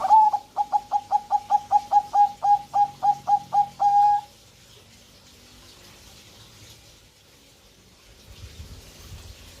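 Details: Zebra dove in breeding condition, a bird kept at home in Indonesia, gives a fast series of about fourteen short, even cooing notes that ends on one longer held coo. Quiet background follows with faint low rumbling.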